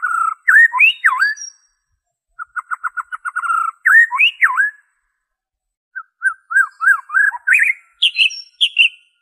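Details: White-rumped shama original song without mimicry, played so captive birds will sing: looping whistled phrases, a rapid trill of short repeated notes, then further varied whistles and high chips.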